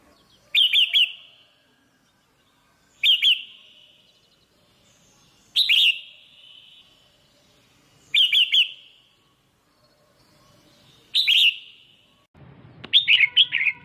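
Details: ['Female red-whiskered bulbul in captivity rousing a male with calls: five clipped, buzzy chirps at steady intervals of about two and a half seconds, then a rougher, more rapid chatter at the end.']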